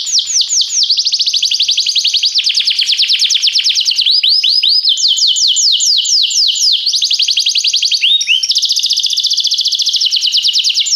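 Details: Canary singing a training song meant to make other canaries sing: continuous loud, high tours of rapid repeated notes, switching between several trill types, some with sweeping downward slurs, others fast and buzzy.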